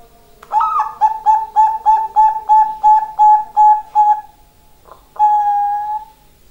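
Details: Bangkok-type zebra dove (perkutut) cooing: a quick run of about eleven short, hollow, evenly spaced notes, roughly three per second, ending in a longer drawn-out coo after a brief pause; quiet background.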